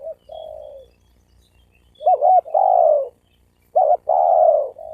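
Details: Spotted dove coo used to provoke males and females to fight. A soft drawn coo, then two loud phrases, each a quick wavering double note running into a long falling coo.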